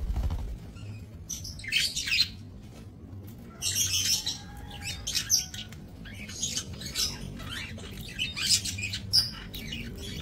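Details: Budgerigars kept for breeding in a small minimalist aviary, recorded 28 November 2024: bursts of harsh, buzzy high chatter and short chirps repeated every second or two, several birds calling over a steady low hum.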